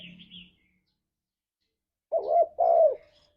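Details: {'caption': 'Single spotted dove song phrase in the ngalas style, used as a lure for kept doves: a wavering coo then a longer falling coo, preceded by faint high chirps and a low hum.'}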